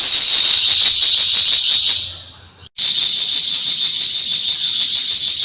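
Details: Long besetan chatter of a Javan fulvetta (flamboyan): shrill, fast-pulsed twittering held steadily high, fading out after about two seconds, a short silence, then resuming at full strength.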